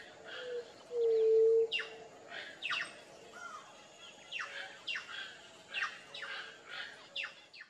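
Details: A White-tipped dove in Brazil gives a single low, hollow, steady hoot about half a second long, over repeated high, downslurred chirps from other birds.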